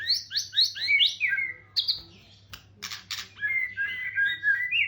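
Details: White-rumped shama song used as a lure for young and captive birds: quick repeated upward whistles, a sliding descending phrase, a pause, harsh bursts, then a warbling run.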